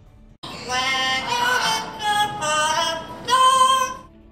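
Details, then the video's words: A parrot mimics a human tune it has heard repeatedly, singing clear, voice-like held notes in four short phrases with gently rising and sustained pitches; nothing else is heard. "Parrots are famous for their ability to copy sounds. If they hear a sound enough times they can practice it."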